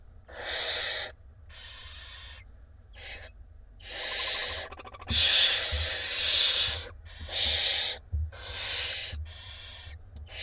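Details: Barn owl nestlings in Israel, filmed by a nest box camera on 17 April 2021 during feeding by the mother, produce a dense series of harsh hissing screeches, some overlapping, with short gaps and a low background hum.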